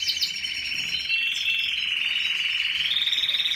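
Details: Canary song: one long unbroken rapid trill, even and rolling, shifting slightly upward in pitch near the end, with a brief higher twitter at the start.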